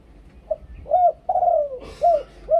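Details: Brief stretch of a Thai spotted dove's decoy song: a short note, then drawn-out mellow coos, one long slurred coo falling at its end, with a faint rustle.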